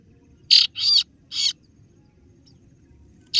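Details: Harsh, buzzy 'ciet' notes of a kaso-kaso bird used as a lure to call rivals: three rough notes in under a second, then silence and the start of another.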